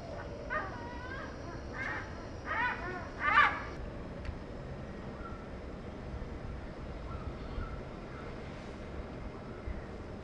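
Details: Oriental pied hornbill, one of a pair filmed at Hampstead Wetlands Park in March 2021. The calls are loud, harsh and cackling, with rich honking notes in a burst of several in the first four seconds. Quieter background noise follows.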